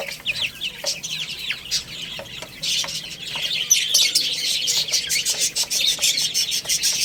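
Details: Chicks playing and eating, rapid overlapping high cheeps, about three per second and unevenly spaced, growing denser and louder toward the end.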